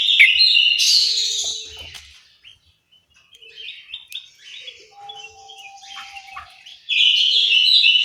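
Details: In an aviary in Malang, East Java, an orange-headed thrush bursts into loud whistled song, falls to quiet scattered chirps, then resumes strong slurred phrases at the end.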